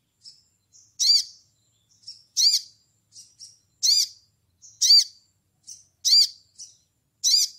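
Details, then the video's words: Lively crimson sunbird calling to a rival in ngleper style: loud, harsh, arched high notes about every 1.3 seconds, alternating with soft, thin chips and twitters in a steady back-and-forth rhythm, with a clean background. "SOGON GACOR NGLEPER MEMANGGIL LAWAN"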